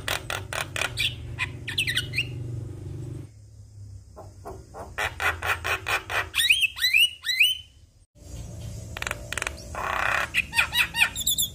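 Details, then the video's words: Javan myna song meant to provoke other mynas into singing: bursts of rapid ticking notes and curling whistles, then a quieter gap before more harsh chatter and whistles resume. "Semua Burung Jalak Langsung Buka Suara Dengar Kicauan Jalak Kebo Ini"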